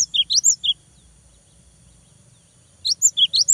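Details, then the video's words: Lively cinereous tit song meant to provoke a rival into singing: two bursts of quick, high slurred chirps, rising and dropping, separated by about two seconds of near silence. "GELATIK BATU GACOR BIKIN LAWAN EMOSI !!! LANGSUNG NYAUT !!"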